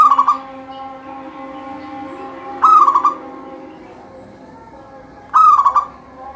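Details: Repeated song of a local zebra dove singing in full voice to set other doves off: three phrases about every two and a half seconds, each a clear held note breaking into quick stuttered coos, over a steady hum.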